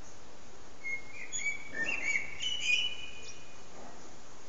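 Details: Common blackbird singing its evening song at sunset, recorded on a mobile phone: a short run of clear fluty whistled notes, followed by a thin high twittering flourish, all over a steady soft background hiss.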